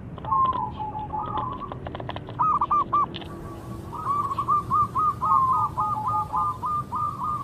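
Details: Local zebra dove used as a lure to provoke rivals into answering. Rapid stuttering coos form a fast run of short, even notes over steady background noise, with scattered clicks early on.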